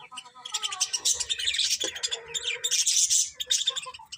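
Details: Busy budgie chatter, with dense high chirps and squeaky warbles running almost without pause, and lower mumbled notes mixed in.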